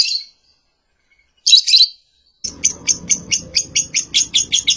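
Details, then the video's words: Lovebird calling: a short shrill burst, a pause, a second harsh burst, then a regular run of about fourteen rapid high chirps over a faint low rumble. "Lovebird Calling Sound"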